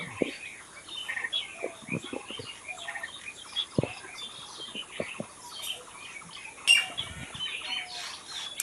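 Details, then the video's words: Wild birds chirping in nature: a dense chorus of short high twittering notes overlapping throughout, with a brief sharp chip standing out near the end and soft low taps scattered underneath. "Natural Birds Chirping"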